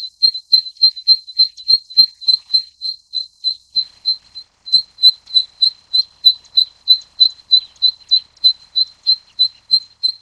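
Zitting cisticola giving sharp, high 'zit' notes, about three a second, in a steady run with one brief pause; nothing else stands out.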